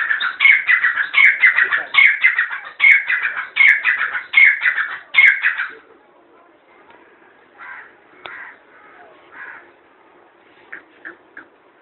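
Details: Grey francolin, known locally as gora teetar, calling: a fast run of loud, harsh, ringing notes, about two each second for six seconds, then fading to quieter, scattered calls over a low steady hum.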